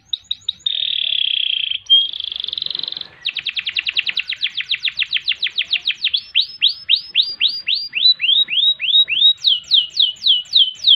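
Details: Long canary song for tutoring and prompting other birds, with ngerol rolls and nembak notes: a steady buzzy roll, then a rapid trill that slows into bright, descending whistled sweeps at the end.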